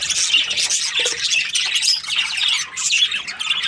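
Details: Budgerigars in breeding pairs give a busy, high-pitched jumble of chirps, squeaky whistles and harsh squawks, many birds calling at once with brief dips in volume.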